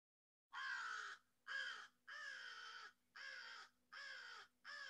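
American Crow giving six harsh, hoarse caws, each under a second, at a steady pace of roughly one per second, with a faint steady hum beneath.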